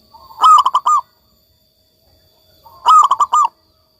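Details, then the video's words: Local zebra dove (perkutut lokal) in full song: two bright cooing phrases, each a quick run of four or five rolling notes with a clear ringing tone, separated by about two seconds of silence. "perkutut lokal gacor"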